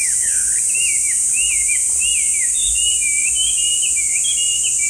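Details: Chinese hwamei singing a run of clear whistled notes, each sliding and looping up and down, delivered quickly and varied, over a constant high-pitched buzzing drone that lasts throughout.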